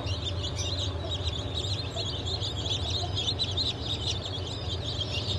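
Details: Many freshly hatched chicken chicks from a 07.07.2023 hatch of Blue, Light Brahma, Wyandotte, Sebright and Legbar breeds give shrill overlapping peeps throughout, backed by a droning low hum.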